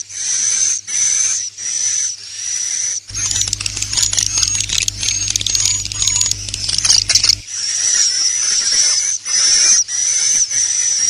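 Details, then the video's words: Roosting lure call of swiftlets: long high buzzy notes repeated about once a second, broken in the middle by a burst of rapid crackling chirps and clicks, then the buzzy notes return, over a low steady hum. "SUARA BURUNG WALET🐦 INAP PLUS"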